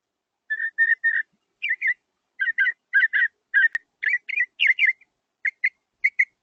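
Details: A northern mockingbird in the Chattanooga area sings short, clear whistled phrases, repeating most two or three times in quick succession before switching to a new one; no other sounds are heard.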